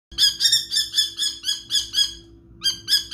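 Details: Kestrel calling to scare off a large eagle: a rapid series of about eight harsh, shrill, ringing notes at roughly four per second, a short pause, then three more, over a steady low hum.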